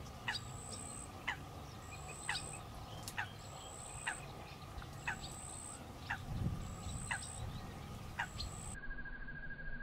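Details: Common pochard mother keeps her ducklings safe while they feed on water insects, fish and frog young. Brief sharp calls repeat roughly every second across the stretch, with a continuous high-pitched whine and low rumbling behind.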